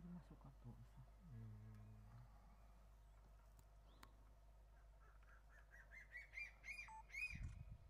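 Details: Crested serpent eagles exchanging calls on Ishigaki Island, Okinawa, Japan: low human talk at first, then a rapid string of rising whistled notes that gets louder toward the end, with a faint low hum throughout.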